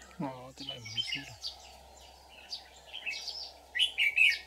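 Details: A red-whiskered bulbul decoy sings in a fight to entice wild bulbuls into a trap, 24 July 2019. A man's voice is heard briefly at first, then scattered whistled notes end in loud sharp bursts, over a low hum.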